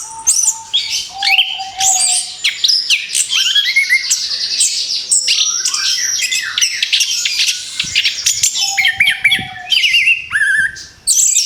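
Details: Post-moult orange-headed thrush singing again: long, continuous, richly varied song mixing piercing whistles, rapid chatters and downslurred notes, with short gaps and a quiet low tone early on.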